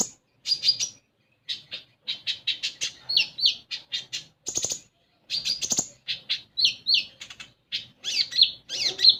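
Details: Common iora singing, used to get young caged birds singing: a busy mix of quick whistles, upslurred chirps and two short rattles, delivered in fast bursts with brief pauses.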